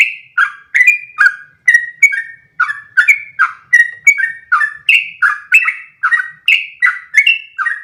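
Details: Sooty-headed bulbul delivering fast, continuous 'ropel' song meant to teach other birds: steady run of sharp whistled phrases, low swooping notes mixed with higher level ones, nearly three per second without pause.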